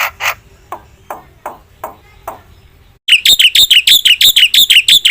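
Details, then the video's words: Jalak putih, the black-winged myna, in full vigorous song: a few soft, spaced rasps, then a sudden loud series of harsh, rapidly repeated chatter notes, several per second. "suara jalak putih gacor full isian"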